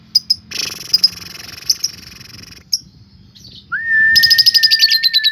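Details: Lovebird ngetik then ngekek, played to provoke other lovebirds. Scattered sharp ticks and a noisy buzzy passage give way to a smooth whistled tone and a loud rapid chattering trill of high repeated notes.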